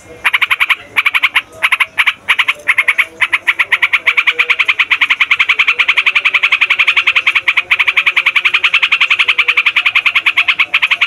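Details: Yellow-vented Bulbul (trucukan) in noisy, long rolling song used as a lure for trapping wild birds: a rapid stream of bright, throaty notes, about three to four a second, broken by short pauses early on, then continuous.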